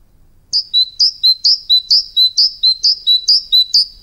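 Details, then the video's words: Tit calls in a quick, evenly spaced string of high, thin two-note chirps, each a bright upper note slurring down to a lower one, about two per second after a short quiet start. "ירגזי קולות מהטבע"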